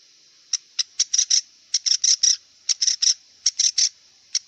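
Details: Wild long-tailed shrike singing: short bursts of bright, high chattering notes in irregular clusters, some doubled or tripled, with brief pauses between groups and a faint steady hiss behind.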